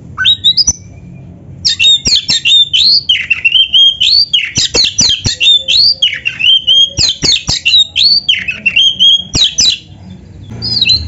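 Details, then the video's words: Gacor-style oriental magpie-robin song meant for training other kacer: dense run of loud upward-sweeping whistles mixed with sharp clicks, nearly continuous over ten seconds, brief pauses between phrases, faint low hum beneath. "SUARA BURUNG KACER GACOR FULL MATERI ‼️MASTERAN KACER GACOR"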